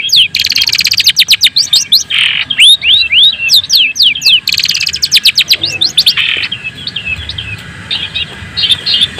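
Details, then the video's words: Long-tailed shrike of the white-breasted type in full, loud song, used as a lure to excite rival shrikes: rapid, varied chattering trills mixed with sweeping whistled slurs, dense for six seconds before thinning into scattered softer notes. "kicau cendet daput"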